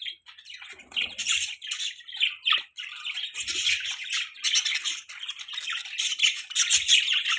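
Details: Budgerigars in the morning giving continuous scratchy chatter mixed with harsh squawks and quick tweets, near-constant throughout.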